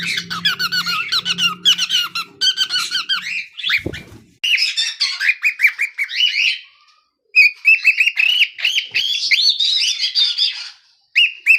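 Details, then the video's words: Pet cockatiel chick singing rapid chattering chirps that give way to longer looping whistled phrases, rising and falling, with brief silent gaps and a single thump near the middle. "Adorable Cockatiel Chicky's Cute Singing Moments"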